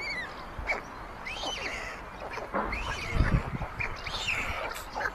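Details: On 22 May 2024, older white stork siblings in a chimney nest in Ságvár, Hungary, grab food from the youngest chick. Scattered high whining arcs mix with knocking and scuffling sounds.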